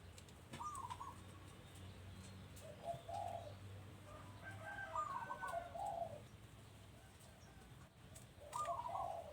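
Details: Doves at a house giving quiet cooing phrases, a few scattered bouts of soft, rolling notes, with a low background hum throughout.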